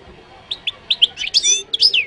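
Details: Goldfinch from Morocco giving a short phrase: a few separate clear chirps that speed up into a sweet, tumbling twitter with a descending slurred note at the close.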